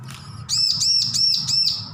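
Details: Recently weaned juvenile bar-winged prinia practising its song, a run of four bright, arched whistled notes in quick succession, each swooping up and down, over a faint low hum.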